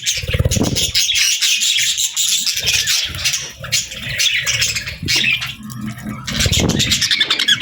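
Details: Chattering parakeets in summer keep up a scratchy, high warble broken by short pauses, with low thumping and rustling sounds throughout.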